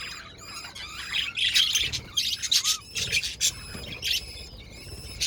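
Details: Budgies chirp continuously in a busy flock-like chatter, high buzzy notes and quick tweets overlapping, with one short clear whistle near two seconds.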